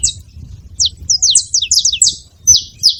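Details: Saffron finches at a feeding spot giving a short cluster of high, falling chirps in quick succession, then two more separate chirps after a pause.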